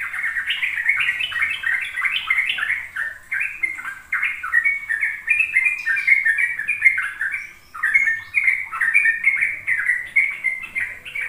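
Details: Sooty-headed bulbul ropel song, a lure for young birds to learn from: long, steady stream of fast, chattering, warbled notes with barely any pause, a short break near eight seconds.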